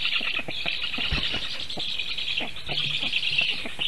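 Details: Storklets of the Black stork at a nest in Sigulda region, Latvia, call while defending themselves from a goshawk on the nest tree, 1 August 2021, 4:51 PM. They give a sustained, breathy, high-pitched chorus with dull thumps and clicks.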